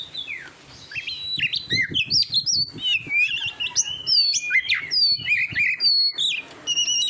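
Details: Lively Oriental magpie-robin song made to train birds for contests, with quick-fire whistled slides, chips and high sharp notes packed closely together, and a few longer, level whistles near the end.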